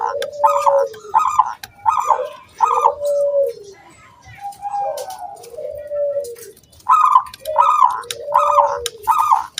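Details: Zebra dove singing, intended to lure other doves into song. Repeated pairs of a bright, bubbling coo over a lower, drawn coo occur about every second, with a pause in the middle before the series resumes.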